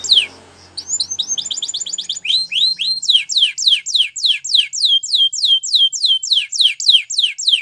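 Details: Training song of a Spanish Timbrado canary: after a soft hum, strings of sharp downslurred whistled notes run steadily for several seconds, loud and evenly repeated.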